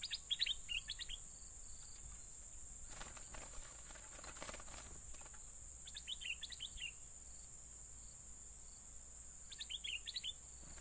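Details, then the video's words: Yellow-vented bulbul calls used as a lure for trapping birds: three short bursts of quick, chirpy, bubbling notes near the start, middle and end, over a steady high-pitched insect-like drone and a faint background hiss. "mikat burung merbah kuning"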